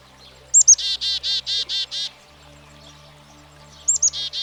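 Black-capped Chickadee giving its chick-a-dee call: two thin, high notes, then about six harsh, buzzy 'dee' notes at an even pace. The call starts again at the end.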